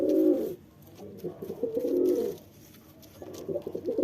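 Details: Male pigeon cooing while courting a female, likely indoors in a small room: low, throaty, rolling coos in bouts of about half a second to a second, separated by short quiet gaps, with faint rustling between them.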